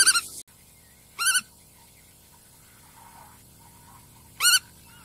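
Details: Black-tailed godwit calling: three short nasal notes with stacked harmonics, spaced irregularly, one at the start, another just past a second in, and a third near the end, over a quiet background.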